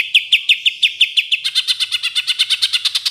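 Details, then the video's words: Caged greater green leafbird, training song packed with rapid fill-in bursts favoured by contest judges: sharp chirps repeated about three per second, then quickening into a faster, denser run of bright notes. "Masteran Cucak Ijo Full Isian Tembakan Kesukaan Juri"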